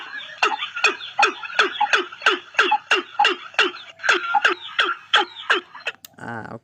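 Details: Watercock (Gallicrex cinerea) booming call: a rapid series of hollow, knocking notes, almost three per second, played back through a small speaker as a lure for trapping; a brief click ends the series.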